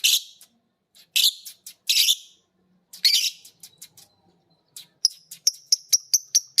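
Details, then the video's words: Two pet lovebirds, violet green and pied, learning ngekek from each other: several loud harsh rasping bursts, a quiet pause, then a brisk series of sharp high whistled chirps. "Burung Lovebird biola green vs Lovebird PB Piet❗saling belajar ngekek denger masternya bunyi."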